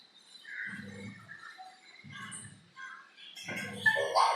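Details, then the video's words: Pet crow that likes experimenting with new sounds, imitating odd noises learnt at a window, filmed from afar: three guttural, voice-like bursts about a second apart with hoarse, almost speech-like tones, ending in a louder harsh rasp. "Crow talking/imitating strange noises"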